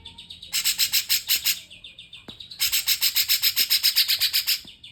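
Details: Two long runs of fast, loud, grating high notes, roughly four per second, like a Grey-cheeked Bulbul's song, with a short gap between the runs.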